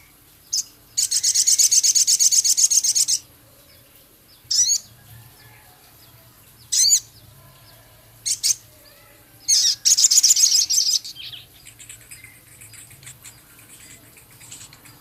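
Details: Male Javan cochoa singing a full, lively song with imitated phrases, bursts of harsh, rasping high chatter lasting one to two seconds, separated by short sharp notes and pauses over a quiet background.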